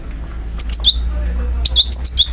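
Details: Algerian European goldfinch, 2012, repeating the same short phrase twice: two high sharp notes sliding into a lower liquid note, with steady low rumble behind.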